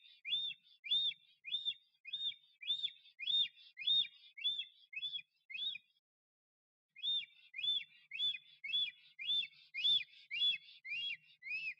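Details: Male black stork at its nest in Notecka Forest on 12 April 2023, singing and displaying to attract a female: strings of arched, rising-then-falling whistles repeated almost twice a second, a short pause midway, then the series resumes.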